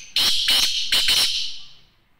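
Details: Black francolin calling: four harsh, grating bursts in quick succession, loud and broadband, the last two closely paired, followed by a fading echo.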